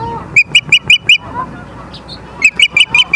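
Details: Ospreys at Charlo, Montana, on 30 August 2023 at 23:23: two quick bursts of about five sharp, high, clipped chirps each, evenly spaced, separated by a short pause with a faint soft note between.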